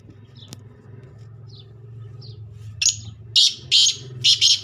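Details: Black francolin giving a series of loud, rasping, scratchy notes in bursts toward the end, following soft scattered chirps over a steady low rumble of background noise.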